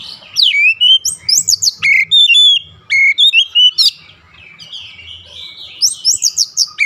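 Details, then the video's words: Oriental magpie-robin (kacer) in daily training audio for a fast, long rolling song: varied loud whistled phrases, sharp downslurs and rising notes in quick bursts, with short quiet gaps between phrases. "TERAPI HARIAN KACER CEPAT NGEROLL PANJANG"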